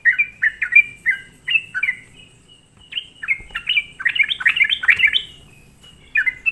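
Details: Sooty-headed bulbul lure song for provoking other bulbuls: clear falling notes, then a louder tumbling cluster of bubbly phrases, a pause, and a last brief note.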